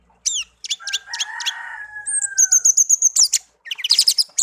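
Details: Pet songbird, taken from a garden and hand-raised from young, kept one year and tame, sings a varied phrase: rapid high chirps, a long low steady whistle near the middle, then sharp repeated trilled notes and rising squeaky flourishes.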